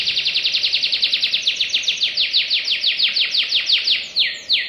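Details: Canary delivering a long, tight trill of descending chirps that gradually slows and broadens, ending with two drawn-out falling whistles; sung in the quick, rapid nembak style.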